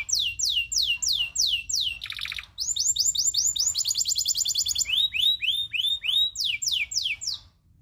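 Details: Local canary, loper type, tutor song with long rolls: repeated loud downslurred whistles, a short buzzy burst, then rapid rolling trills and sweeping notes repeated several times a second.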